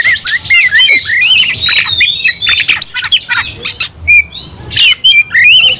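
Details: Provoked White-rumped shama in an angry fighting song, rapid rising and falling whistles interleaved with scratchy notes and clicks, slowing into separate bursts toward the end.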